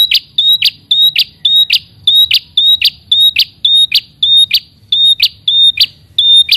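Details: Red-headed prinia calling out a rival: a loud, rapid series of sharp, high chirps with short tonal whistles between them, repeating roughly twice a second in a steady run, with a faint low hum beneath.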